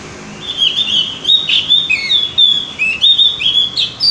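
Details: Javan grey-throated white-eye singing, a recording meant to encourage birds to sing regularly: continuous warbling of rising and falling whistled notes, fast and slurred, with a few sharper accents, lasting about four seconds.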